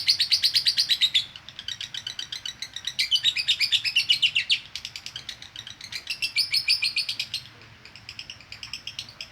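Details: Female lovebird producing konslet chatter as training audio, delivered in three loud bursts of rapid, raspy chirps separated by quieter gaps, with a softer trailing series at the close.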